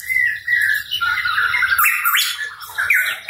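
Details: Hooded pitohui, called cucak rawa papua, singing loudly and persistently: rich whistled phrases with rising and falling slurs, some harsh squawky notes mixed in, a low hum underneath.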